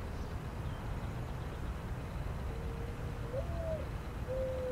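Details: A lone mourning dove cooing: a soft, low hooted note that swells upward, dips back down, then a steadier second coo, all under constant low rumbling noise.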